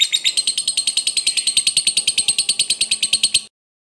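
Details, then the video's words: Lovebird long chatter (ngekek panjang) from a fighter bird, meant to spur a lazy lovebird to sing; rapid steady train of shrill buzzy notes for three and a half seconds, then silence. "Lovebird ngekek Panjang ini Pintar Memancing Emosi Lovebird Malas Bunyi"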